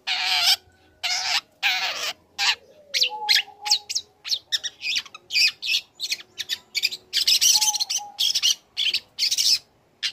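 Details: Young long-tailed shrike in full, steady song while learning imitated material, used to provoke other shrikes into answering: harsh, scratchy bursts in quick series with short gaps, plus a few thin level whistles.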